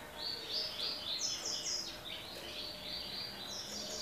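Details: Double-collared seedeater (Sporophila caerulescens), tui-tui song.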